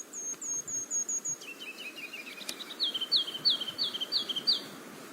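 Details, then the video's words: Ruby-crowned kinglet song, a long song: about five very high, thin buzzy notes, a fast descending twitter, then a run of bright, bouncy rising-falling phrases, with faint background hiss. "Um so, first off is the song for the Ruby Crown Kinglet."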